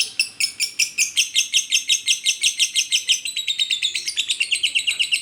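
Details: Koslet song of a lovebird: a fast, continuous stream of shrill, buzzy chirps, about three per second, that drops slightly in pitch toward the end.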